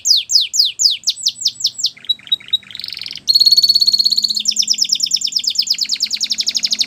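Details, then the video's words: Canary singing for training young canaries: repeated loud descending sweeps, a few short whistles and a buzzy roll, then a steady tone and a long fast trill of high notes. "Canary Training Video | Canary Bird Sounds"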